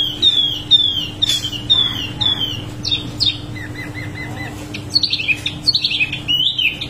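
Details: Wambi mini singing actively in a continuous rolling style: sharp downslurred whistles and chirps, high-pitched and rapid, with rising twitters near the end; faint steady low hum in the background.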